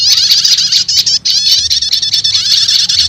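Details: Continuous shrill prinia chatter, rapid and buzzy with wavering high notes and one brief gap, from a lure recording said to quickly attract wild prinias by combining two prenjak call types.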